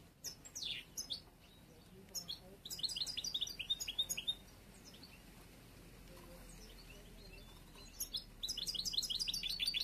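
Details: Caged bruno amarillo goldfinch, one of this year's last young birds whose song is still unfinished, sings quick high chirps and twittered phrases in bursts, with a quiet pause in the middle before lively twitters resume.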